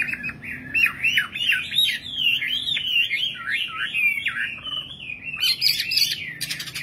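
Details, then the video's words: A common nightingale sings a fast, unbroken run of varied warbled and whistled notes that rise and fall, ending in a sharp rattling trill, over a faint low hum. "Singing nightingale. amazing bird song"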